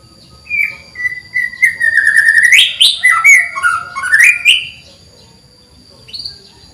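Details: Caged canary from a training recording for birds that seldom sing, giving slurred whistled notes that slide down and then sweep upward, with a brief pause before a short final chirp.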